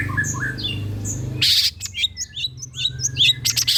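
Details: Long-tailed shrike song used as a lure to get other shrikes singing: a low hum at first, then a burst of noise followed by a string of short, high, sharply rising and falling chirps with rasping notes between.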